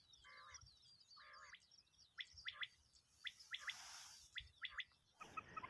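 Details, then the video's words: A Common quail gives sharp, liquid triple notes in quick bursts about a second apart, after two buzzy nasal notes, with faint chirping and noise bursts behind. "Common quail effects"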